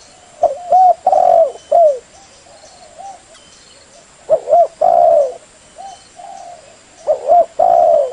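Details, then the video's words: A spotted dove gives soft, mellow coos in short phrases of three or four notes, the last drawn out, repeated about every three seconds against a quiet background; used as a lure call to prompt other doves to reply. "SUARA PANCINGAN BURUNG TEKUKUR BLOROK /LEOPARD SUPAYA CEPAT NYAUT IKUT BUNYI"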